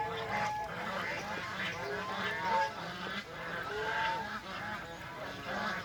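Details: Farm geese out in the rain on a rainy day, drinking, playing and spreading their wings, give a run of nasal honks. Overlapping calls come about once a second over a steady hiss.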